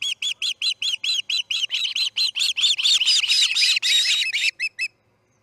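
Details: At the Charlo nest an osprey calls as a chick fledges, early morning of August 10, 2018: a rapid train of clear, piping chirps that grow harsher and denser midway, then thin out and stop.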